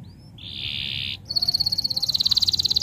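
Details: Canary singing a masteran to stir other canaries into song. A short buzzy roll stops abruptly, then a rapid, high, pulsing trill builds and continues to the end.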